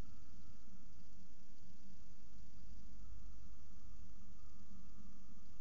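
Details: Constant low hiss and hum with a steady tone running through it, like indoor or distant traffic noise, and no animal calls at all.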